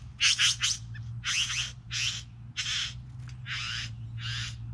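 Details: Three bowerbirds; loud grating churrs, around eight broad noisy bursts, the first ones stuttered, coming in quick succession above a constant low hum.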